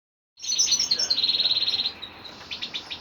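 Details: Male goldfinch, locally called kalu putha, singing a fast, bright, high twittering run of tinkling notes with buzzy trills, then quieter scattered chirps toward the end.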